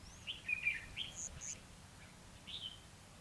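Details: Fighting song of a red-whiskered bulbul used as a trap lure, recorded 29/2/2016; brief bright whistled notes and a few high chirps scattered over three seconds, faint low rumble beneath.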